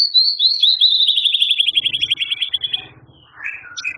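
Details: Eager-singing White-rumped shama, full of long rough fillers: a high, very fast trill sliding gradually lower and slowing over three seconds, followed by a few softer warbled notes.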